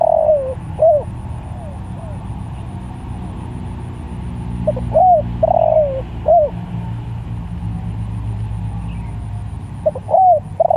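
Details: Tekukur or spotted dove calling other doves: a coo phrase at the start, fainter echoing coos, then two further phrases of arched hoots and a sliding drawn coo, over low background rumble.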